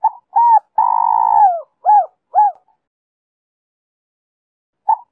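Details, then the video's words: Spotted dove singing in the 'Giọng Kim 2 hậu' style, used as a lure to draw wild doves: a short coo, a long rolling purring note, then two clipped hollow coos, with another coo after a pause. No other sounds. "Cu gáy Giọng Kim 2 hậu víp kích bổi nhanh nổi/Tiếng cu gáy kích bổi nhanh gáy/cu rừng nghe về ngay"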